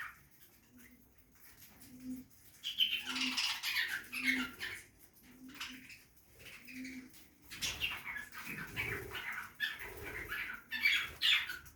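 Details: Backyard aviary at feeding time: low repeated humming tones at first, then budgie parrot chatter rises, with squeaky warbles and scratchy chirps in irregular bursts alongside rustling.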